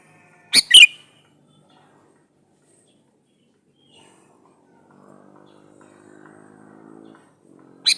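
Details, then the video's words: Male sooty-headed bulbul calling a female, used as a lure to draw other bulbuls into answering: one loud, harsh, bubbly burst of two quick notes with a whistled tail, then near silence with a faint low hum. "suara burung KUTILANG jantan gacor memanggil betina"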